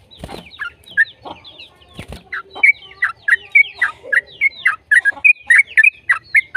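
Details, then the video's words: Yellow-vented bulbul in fast, non-stop song used to coax other bulbuls into singing. Scratchy knocks and soft notes open, then loud, clipped whistled chirps quicken to about three or four per second. "PANCINGAN TRUCUKAN AGAR BUNYI burung TRUCUKAN GACOR ropel"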